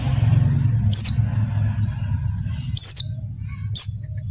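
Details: Calls of a female Oriental white-eye in breeding condition summoning a male: three loud high down-slurred notes separated by soft, repeated thin high twittering phrases, over low droning background noise.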